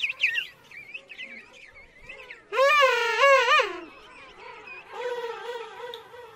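Penguins call with loud, harsh, braying notes over the chatter of a busy colony.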